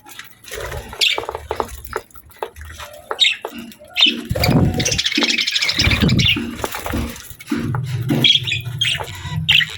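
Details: Pet budgerigars eating healthy food during their daily routine; scattered short, high chirps and a brief burst of buzzy chatter mixed with pecking, crunching and rustling.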